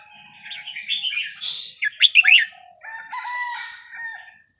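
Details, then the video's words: Caged red-whiskered bulbul from Vietnam, small and older than ten years, pours out a busy run of warbled, chirping notes, then steadier, drawn-out tones fade toward the end. "นกกรงหัวจุกเวียดนาม นับดอกตัวเล็ก อายุ10++"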